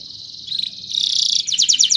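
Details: Brief stretch of canary song meant for training other birds: a steady buzzy high tone swells louder, then breaks into quick repeated trilled pulses.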